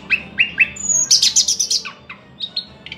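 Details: Thrush nightingale song phrase opening with three similar whistled notes, then a high thin whistle, a loud rapid rattle of clicking notes, and a few falling and rising chirps to finish.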